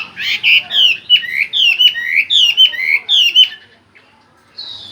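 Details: Chinese hwamei singing rapid whistled notes that rise and fall, repeated in a rolling run for over three seconds, then a pause and one long high whistle.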